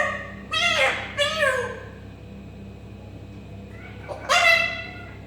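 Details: An African grey parrot mimics a cat with two quick, strained meows, followed after a gap by a short click and a louder falling mew.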